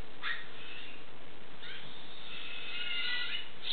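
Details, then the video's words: Four young California scrub-jays, found on the ground in a yard, are hand-fed indoors while their parents screech outside the window: harsh, raspy begging calls in short bursts, building into a longer, insistent chatter, over a low hum. "Baby birds being fed by mother"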